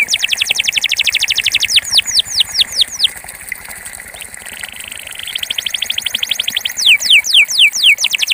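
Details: Singing Belgian canary of pure campainha style: fast trilled tour of falling notes, slower swooping whistles, a quiet buzzy rolled pause, then the rapid trill resumes and ends in broad descending sweeps; low ticking in background.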